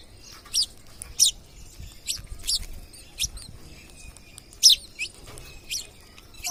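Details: Wild parrots at a home give a run of around ten short, piercing screeches of uneven loudness, spaced irregularly, with a quiet background.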